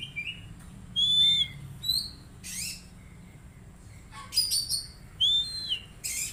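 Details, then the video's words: Oriental magpie-robin song for training an untrained bird to sing sooner: varied whistled phrases, some falling or arched, alternating with harsh scratchy bursts, loud and broken by short pauses. "Terapi Kacer Bahan Agar Cepat Bunyi"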